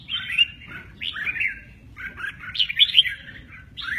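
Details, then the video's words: Red-whiskered bulbul singing in the 'mơ ché nẹt' style, noted for its lively wing display: bright, chattering, warbled phrases in short bursts separated by brief gaps, with a few sharper high notes near the end. "Chào mào mơ ché nẹt, chơi cánh rất hay"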